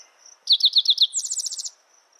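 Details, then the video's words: Spotted towhee song: five loud, slurred downward notes in quick succession, then a faster, higher trill of about eight notes, lasting just over a second, over a thin steady high whine. "Spotted Towhee Bird Sound, Bird Song, Bird Call"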